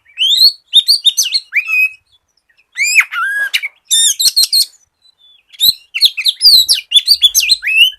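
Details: Oriental magpie-robin song intended to lure untrained magpie-robins into song. Varied sweet whistles, fast trills and rising slurs come in four lively bursts separated by short gaps.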